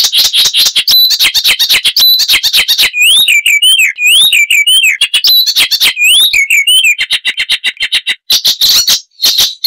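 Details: Icterine warbler (Hippolais icterina) in full song: a long, rich phrase of harsh clicks, looping whistled slurs and thin high notes, ending in a rapid buzzy series of repeated notes.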